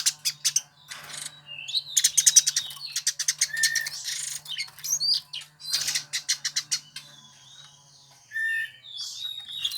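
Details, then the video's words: Over nearly ten seconds, a Eurasian tree sparrow, a bird Indonesian songbird keepers seek out, alternates rattling chirp bursts with slurred whistles and squeaky notes, with quiet gaps. A low hum sounds in the background. "Burung Gereja yang Banyak dicari Kicau Mania"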